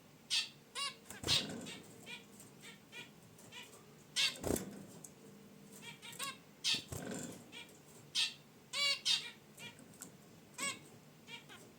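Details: Relaxing caged zebra finches beside their wicker nest basket produce a lively run of loud nasal honks and chirps in quick irregular bursts, mixed with a few sharp rustles and wing flaps.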